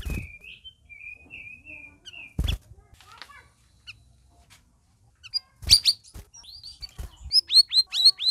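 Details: Captive red-whiskered bulbuls in a group in their first week of care: a few level whistled notes, a pause, then rapid repeated downward-curving chirps, with sharp cage knocks.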